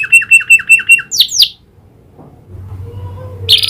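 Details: Singing canary tutored with prinia click phrases gives five evenly spaced short notes and two downward-sliding whistles, falls quiet, then ends on a sudden bright burst.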